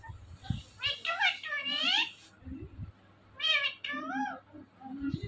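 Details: Indian ringneck parakeet talking indoors; nasal, wavering sliding calls in two bursts with harmonics, mixed with a person speaking softly and a low steady hum.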